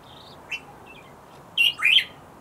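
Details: Bluethroat: a few short, high chirping notes, one brief note near the middle, then two louder slurred, twisting notes close together at the end, over a quiet background.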